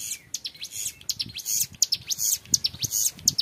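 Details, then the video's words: Young hill prinia (ciblek gunung) in long 'ngebren' song, a tutoring recording: rapid high buzzy chattering notes in quick dense bursts, sharp and clear, with a faint low thumping underneath. "MASTERAN CIBLEK GUNUNG MUDA GACOR NGEBREN PANJANG SUARA JERNIH"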